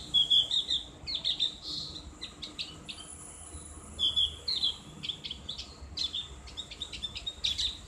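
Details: Ngriwik song of the opior jawa, the Javan grey-throated white-eye, for tutoring kept birds. Repeated bursts of quick, high twitters and sharp chip notes come every second or so, with short silences between them.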